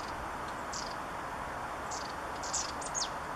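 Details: Long-tailed tit contact calls at Zaslawskaye Reservoir, Belarus, on 7 November 2020: thin, very high, slightly buzzy notes in short bursts of two or three over a steady rushing hiss.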